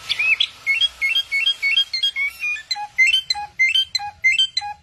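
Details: A bird that mimics many sounds gives a run of clear, whistled two-note phrases, rising and falling, repeated rapidly over about five seconds. Lower, shorter notes join toward the end, with faint background hum.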